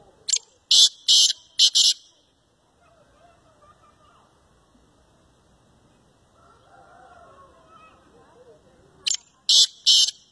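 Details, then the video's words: Black francolin calls with a harsh, rasping phrase of four short grating notes, followed by a quiet stretch with faint low murmurs, then the same phrase again at the end. "Kala Teetar Ki Awaz"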